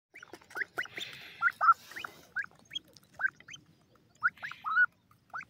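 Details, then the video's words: Three-month-old grey francolin chick calling; short upward-sweeping whistled notes, singly and in quick pairs, repeated irregularly about twice a second with brief pauses. "teetar ka 3 mah ka bacha ki khurak,sindh ka ladla teetar ki awaz"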